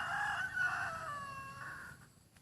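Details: Crow of a decoy rooster praised for its fine voice: one drawn-out, strained note that starts loud and rough, then slowly fades and tails off over about two seconds, with a low background hum.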